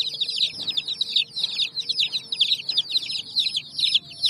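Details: Baby chicks with their hen on raw bricks give rapid, piercing peeps in overlapping clusters, roughly two per second, over faint low background noise.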